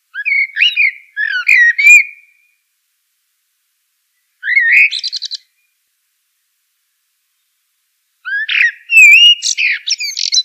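Common blackbird singing three unhurried phrases, each a mellow fluted warble that breaks into a higher, squeaky twitter, with quiet pauses between; no other sounds.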